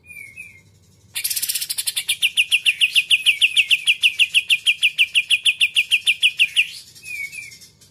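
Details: Greater green leafbird in 'muntah isan kapas tembak putar' song style: a short warbled whistle, then about five and a half seconds of fast, metallic, evenly repeated notes growing louder, ending in soft twittering whistles.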